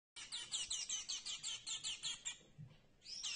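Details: A ravenously hungry star finch chick begs for food with a rapid run of high, scratchy chirps, about six a second for two seconds, then a brief pause and another chirp.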